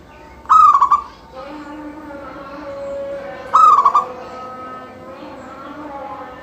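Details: Local zebra dove in full song, used to prompt other doves to sing: two quick stuttering whistled phrases about three seconds apart, with fainter cooing and steady hum between.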